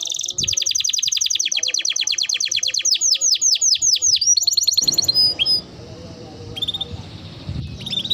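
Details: Canary song intended to make other canaries sing, with a long fast sequence of repeated down-slurred notes, then sparser whistles and chirps over a low background rumble.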